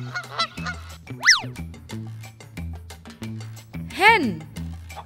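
A goose gives two loud, nasal honks, each a quick rising-then-falling blare, about three seconds apart, over steady background music.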